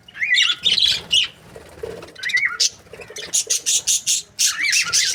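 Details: Chirping budgerigar breeding pairs: warbled, upward-curling chirps, then a run of rapid, evenly spaced scratchy squawks and more warbling at the end.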